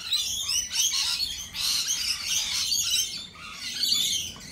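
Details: Continuous high, buzzy screeching and twittering from lorikeets at a cafe, many birds calling at once in a steady, raucous wall of sound.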